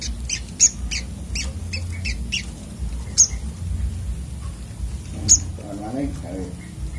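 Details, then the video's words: Brown-throated sunbird in agitated 'ngamuk' song: bursts of high, thin chirps and sharp ticks in irregular clusters, with a few louder clicks and a steady low hum underneath. "burung sogok otong terapi ngamuk"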